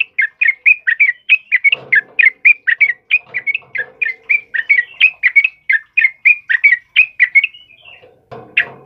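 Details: Sooty-headed bulbul in full song, kept as a training recording for cage birds: a long, steady run of short bright chirps, about three each second, with faint low rustling beneath and a brief noisy burst near the end.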